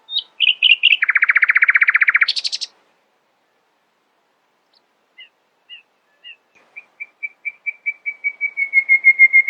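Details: Nightingale in the early morning delivering a loud, fast rattling trill lasting about two seconds and a harsh high buzz, then after a silence a series of repeated whistled notes building gradually in volume.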